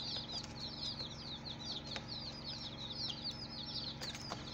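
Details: Chicken chicks on their first day, a brood peeping constantly: high, quick, downward-sweeping cheeps in dense overlapping runs, occasional taps or clicks, and a low electrical hum throughout.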